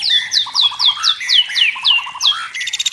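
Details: White-rumped shama, a forest bird with a clear natural voice, giving a rhythmic series of high downslurred whistles, roughly four per second, alternating with low short notes, ending in a rapid buzzy rattle.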